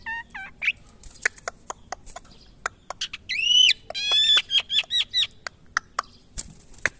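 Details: Asian pied starling during taming: a varied run of nasal, harmonic whistles and squawks, some rising then falling, mixed with scattered sharp clicks and knocks.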